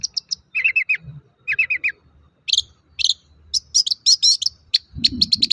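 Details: Long-tailed shrike singing, played as a lure to get other shrikes to sing: quick triplets of clear chirps, then buzzy scratchy phrases and fast repeated high notes, over a low background hum.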